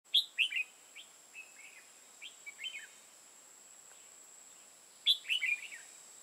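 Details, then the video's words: Red-whiskered bulbul used as a decoy for trapping in Hòa Bình, Vietnam: short bright warbled phrases of three or four quick slurred notes, a softer scattered middle passage, then the loud phrase again; a steady high whine runs throughout. "Bẫy chào mào hòa bình"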